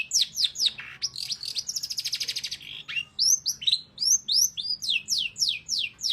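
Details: Long-tailed shrike (pented) singing vigorously: a string of sharp downslurred notes, then a fast rattling trill, then a series of bright arching whistles repeated about twice a second.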